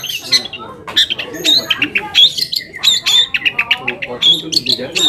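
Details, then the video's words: Lure song of a long-tailed shrike, meant to provoke other shrikes into replying and to make quiet birds sing: busy, high chattering with sharp whistled accents, quick rasping notes and brief trills packed closely together. "PANCINGAN AMPUH BURUNG CENDET AGAR CEPAT GACOR - cendet manapun langsung nyaut dan emosi"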